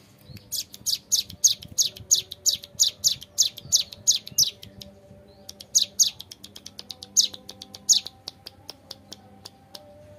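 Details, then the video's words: Young hill prinia, ciblek gunung, in a long, lively, clear ngebren song: rapid strings of high, sharp, descending chips, roughly three per second, with a short pause, then a looser, patchier stretch toward the end. "MASTERAN CIBLEK GUNUNG MUDA GACOR NGEBREN PANJANG SUARA JERNIH"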